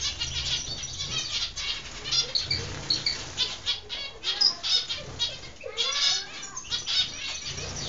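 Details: Zebra finches bred in captivity in Constantine, Algeria, recorded in 2016: dense high chirps and short nasal calls from several birds, with wing flutters and a low background hum.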